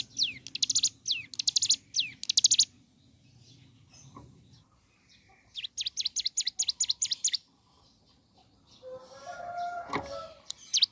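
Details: Hill prinia (ciblek gunung) singing in the morning. Falling whistles and buzzy chatters are followed by a fast, even series of sharp high notes. A lower, squeaky sound from something else appears near the end.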